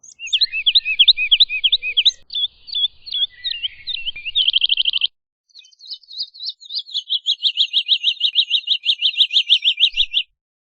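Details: Woodlark singing a varied sequence: looping upslurred notes, a rapid buzzy burst, then after a short break a long run of rhythmic, repeated fluty notes. Faint low rumble in the background.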